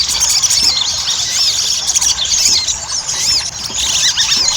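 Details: Ruby-cheeked sunbird chatter played so that birds start singing quickly; loud, high twittering of swooping squeaks and trills, crowded and continuous.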